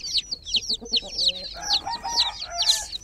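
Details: Groggy chicken chicks in a water pool: dense, high peeping chirps, many short descending notes overlapping at about two per second, with brief low human voices underneath.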